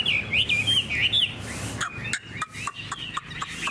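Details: A spread-tailed hwamei kept in a cage, praised for its good temperament and voice. It gives a quick sequence of looping whistled notes, followed by sharp clicking ticks and softer warbles against background hum.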